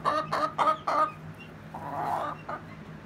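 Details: A Rhode Island Red hen and a Golden Comet hen clucking: four strong, evenly spaced clucks, then a longer drawn-out cackle and one final cluck.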